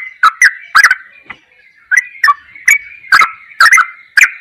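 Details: Yellow-vented bulbul singing in the ropelan goklikan manner, a training recording: chuckling, warbled notes in steady bursts about every half second, with crisp clicks at each onset and a short lull early on.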